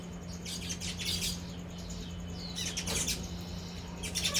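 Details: A flock of Baya weavers, yellow males and brown females, feeding together at breakfast; dense bursts of thin, high chirps and twitters overlap at first, fade, then surge again near the end over a steady low hum.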